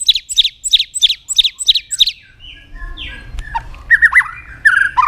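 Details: Lure song of a white-rumped shama: a quick series of about eight sharp, high, downward-flicking notes, a short gap, then lower slurred whistles and paired chirps.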